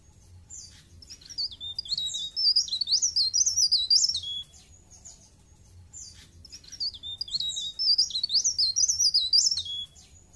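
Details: Blerengan, the bar-winged prinia, delivering two bursts of shrill, jumbled, high-pitched twittering. Each burst runs a few seconds, with a brief near-silent gap between them and a soft low rumble underneath.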